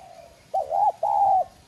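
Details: One loud phrase from a spotted dove decoy with a 'Son' voice: a short wavering note, then two smooth, slightly arched coos. The bird is used to call other doves and stimulate their cooing.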